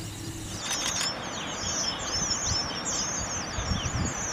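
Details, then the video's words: Captive red avadavats, or strawberry finches, chattering together: overlapping high, squeaky, slurred chirps from several birds, with brief fluttering sounds near the start and a low rumbling background. "Strawberry Finches| Red Avadavat"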